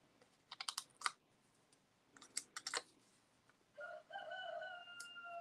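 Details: One of sixteen or so roosters crows in the background: a drawn-out, harmonic, slightly hoarse cry over a second long, after sharp tapping and clicking from nearby indoor handiwork.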